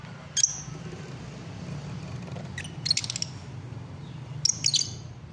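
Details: Lovebirds giving short, shrill, high chirps in three brief bursts separated by quiet gaps, over a steady low hum.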